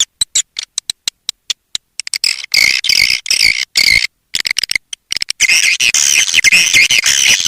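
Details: Edible-nest swiftlet calling sound used to attract swiftlets: a few sparse sharp ticks at first, then dense, overlapping high chirping twitters in rapid bursts with short gaps.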